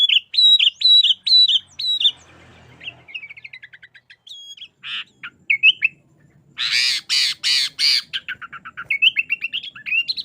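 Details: Sooty-headed bulbul in busy 'isian' song for training and attracting bulbuls: rolling whistled phrases, a quiet trilled passage, scattered slurred notes, loud raspy bursts, then a rapid run of rising and falling whistles.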